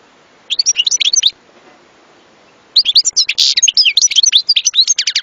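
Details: Goldfinch song: a brief burst of liquid twitters, a pause, then a longer fast run of high, chattering notes mixed with buzzy elements.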